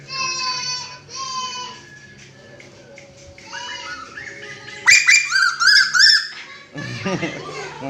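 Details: Loud calling of a red-eyed kuwu bird from Lombok, kept indoors: clear whistled notes and light chatter, then a burst of loud, rich, arched notes, ending in harsh noisy sounds, with a person talking nearby.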